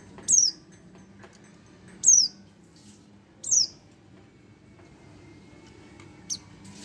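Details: Three clear high downslurred notes from a one-month-old Oriental white-eye at uneven spacing, then a faint short chip, with quiet low hum.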